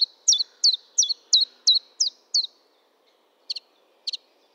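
Common chiffchaff singing a run of seven sharp, even chip notes at about three per second, followed by two softer paired notes after a pause.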